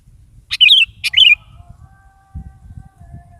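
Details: Sooty-headed bulbul in lively morning song, offered to coax a pet bulbul into answering: a pair of quick, looping whistled phrases over a steady low rumble that continues after the bird stops.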